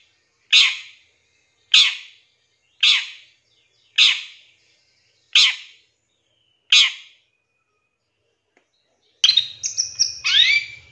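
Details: Long-tailed shrike in a lure recording for training birds: six rasping, scratchy notes roughly every 1.2 seconds, then a pause and a burst of busy, twittering high notes over a low hum at the end.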